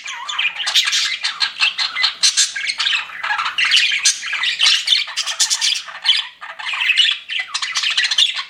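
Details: Pet budgerigars chatter while flirting, with lively pulsing chirps, scratchy warbles and squeaky notes coming in quick, uneven bursts with no real pauses.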